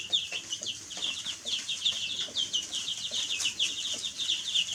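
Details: Baby chicks chirping in a dense, continuous chorus of high, short, downward-sliding peeps that overlap several per second, with no other clear sounds.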